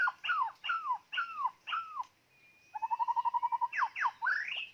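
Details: White-rumped shama kept as a decoy bird delivers a series of downslurred whistles, then a quick rattling trill of evenly repeated notes under a thin high whistle, ending with sweeping rising and falling phrases.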